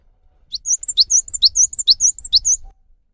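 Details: Cinereous tit in full song as a lure for caged birds that will not sing: high sharp falling notes alternating with rising swoops, a steady run of about six phrases over two seconds, with faint low rumble beneath.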